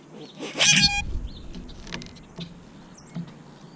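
A grackle gives one harsh, squeaky, metallic burst lasting about half a second, then a few faint high chirps over a soft background hiss.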